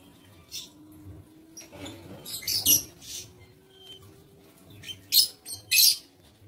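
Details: Shrill lovebird squawks from an aviary on 07 April 2023, a few soft chirps then a loud burst, a pause, and two strong screechy calls near the close.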